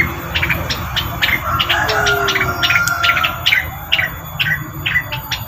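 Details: Rengganis bird sound used as a lure call: a run of sharp, high chirps repeated irregularly at about two per second, some in quick pairs, over a steady low hum and a faint drawn-out tone in the background.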